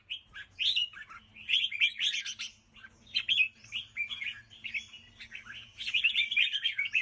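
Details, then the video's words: Rapid bubbly song of a red-whiskered bulbul: jumbled sweet chirps and quick warbled notes in bursts, pausing briefly between phrases, with a soft low hum underneath. "chào mào ché cực hay"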